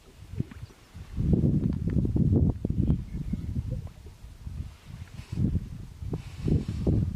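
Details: Courtship display of two male greater sage-grouse at a lek, a female passing by; a long run of low, rumbling swishes and pops followed by shorter bursts, with occasional faint higher clicks.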